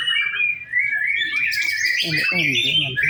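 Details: White-rumped shama singing during a simulated singing contest: bright warbled and whistled phrases sliding between mid and high pitch, with a brief burst of lower, voice-like harmonic sound in the second half.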